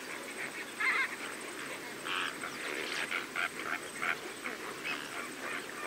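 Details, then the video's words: Greater flamingos, several birds feeding alongside lesser flamingos: a dense, continuous chatter of nasal, goose-like honks and grunts from many birds over a steady background hiss. "Greater Flamingo / MCU Calls From Several Birds Feeding With Lesser Flamingos"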